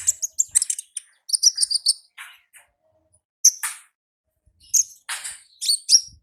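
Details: Ngalas-style singing from a wild olive-backed sunbird: rapid high chips and twittering runs, a few buzzy notes, then sharp rising whistles in quick pairs.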